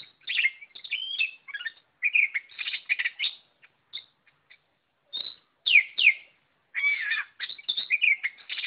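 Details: Oriental magpie-robin singing energetically, a varied stream of high whistles, chirps and harsh twittering notes in quick bursts separated by short pauses, some phrases sweeping steeply up and down, in a quiet setting.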